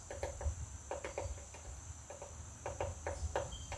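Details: Pecking by a woodpecker on a butterfly house: clusters of two or three dry wooden knocks separated by brief gaps, with a faint steady whine behind.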